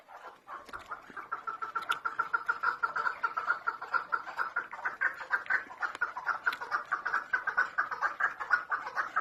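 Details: Female chukar partridge whose call is used as a lure: a long, fast run of short, clucking chuck notes, steadily repeated at a mid pitch, growing slightly louder and more insistent over several seconds, with no other clear sounds.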